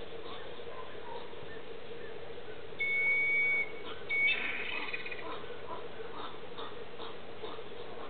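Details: Several Whistling Herons (Syrigma sibilatrix) interacting in a Brazilian pine in Gravataí, Rio Grande do Sul, Brazil; one gives a thin, steady, high whistle under a second, then a brief second note, over a constant low hum.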